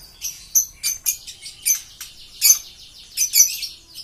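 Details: Green series lovebirds chattering: irregular bursts of harsh, high squeaky chirps and buzzy notes, loud and uneven, with near-silent gaps between them.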